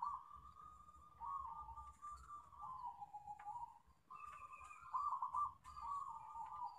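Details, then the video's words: Local zebra dove singing, used as a lure to prompt other doves: continuous rolling, wavering trilled coos with a few louder notes, over a steady low rumble of background noise. "Pancingan Perkutut Lokal"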